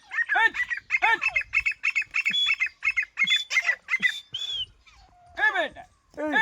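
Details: Grey francolin (desi teetar) during a fight: harsh, squawking notes repeated in quick bursts for several seconds, overlapped at the start and end by men loudly shouting commands.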